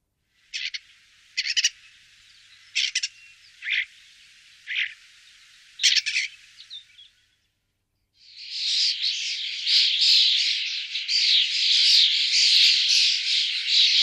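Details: Common starling, recorded in 2017 at Wittlich: about six short, separate scratchy bursts at irregular intervals over seven seconds, then a pause, then loud continuous chattering of squeaks, rattles and whistles.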